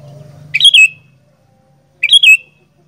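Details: Sooty-headed bulbul, kutilang gacor fighter: two loud rich gurgling phrases of rolling whistled notes, about a second and a half apart, after a brief low rumble at the start.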